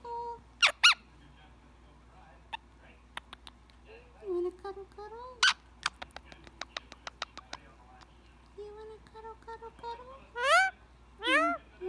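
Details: Indian ringneck parrot kept as a pet, chatting while enjoying head scratches before bedtime; high sharp squeaks, bursts of rapid clicks and wavering speech-like phrases ending in loud rising-falling squawky notes.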